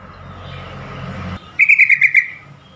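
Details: After a low rumbling hum, a yellow-vented bulbul gives a fast run of six or seven sharp chirps, a call meant to get stressed or silent caged bulbuls to respond quickly.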